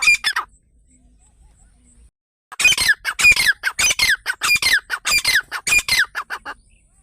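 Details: Grey francolin, known as teetar, offered as a hunting sound: a brief harsh burst, a pause of two seconds, then a fast series of loud raspy notes with falling tails.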